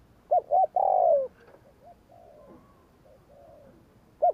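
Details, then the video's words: Spotted dove provoking "gù kích" phrase of two quick notes and a long falling coo, followed by soft distant coos and the start of another phrase. "Tiếng cu gáy gù kích chuẩn / Chim cu gáy gù kích bổi chuẩn nhanh nổi / Cu gáy gù phóng"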